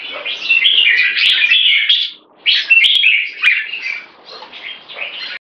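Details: Red-whiskered bulbul in one stroke singing toward keke: a loud warbled phrase, a short pause, then a second energetic burst trailing off into softer chattering notes.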